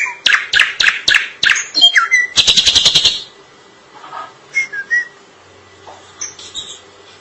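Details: Drongo singing: a fast series of loud, sharp, repeated notes and a short buzzy rattle, followed by quieter scattered whistles and chips.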